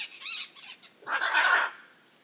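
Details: Two harsh Hyacinth macaw squawks in quick succession, the first grating and wavering, the second louder and raucous, fading into quiet.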